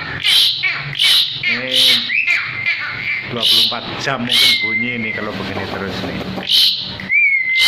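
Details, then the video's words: Asian pied starling held in the hand and singing: rhythmic harsh bursts, nasal chattering phrases and drawn-out whistles that fall slightly at the end. "JALAK SUREN GACOR"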